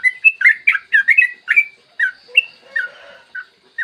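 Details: Yellow-vented bulbul singing a fast, long song, clear-voiced in the morning and used to coax other bulbuls into singing: dense bubbly notes at the start, then sparser, slurred phrases with faint lower warbling behind them.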